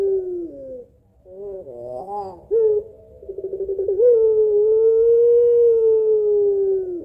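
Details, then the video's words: Barbary dove of the puter pelung type, a lure recording of a long-voiced two-note kuwok: a few wavering notes, a brief pause, a rapid rolling stutter, then one long, steady, drawn-out coo held about three seconds before sagging at the end. "PANCINGAN TERBARU PUTER PELUNG GACOR SUARA PANJANG KUWOK 2 NOT"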